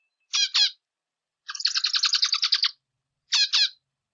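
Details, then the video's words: Zebra finch singing a variation: a paired short harmonic note, a pause, a continuous rapid buzzy trill of about one second, then the paired notes again; clean recording without other sounds. "Zebra Finch Singing - Diamante Mandarín Cantando"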